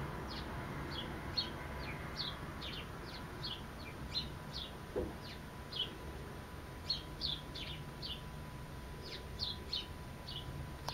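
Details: A sparrow chirps persistently, giving dozens of brief, bright, falling notes in irregular bursts, sometimes doubled, against a constant low hum and faint steady tone.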